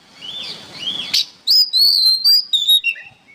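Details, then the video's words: Kacer or oriental magpie-robin singing as songbird training material: soft wavering whistles over faint background noise, then a sharp note and a loud run of clear high sliding whistles falling step by step toward the end. "MASTERAN BURUNG KACER GACOR"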